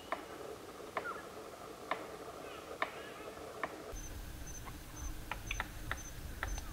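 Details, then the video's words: Palm cockatoo drumming as part of its courtship ritual to attract a mate: sharp, dry taps struck at a steady beat of about one per second, then quicker irregular knocks, over soft background hiss. "Palm Cockatoo Beat Drum"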